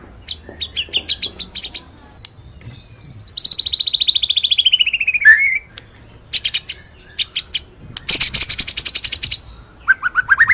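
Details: White-rumped shama song used as training master: varied chattering notes, a long descending buzzy trill, high rattles and a rising rolled phrase at the end.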